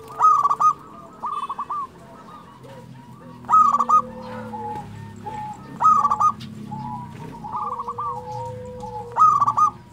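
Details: Local perkutut, or zebra dove, in full song: bright, rapid, trilled coo phrases recur roughly every two to three seconds over a bed of quieter rolling coos from neighbouring doves and a low hum.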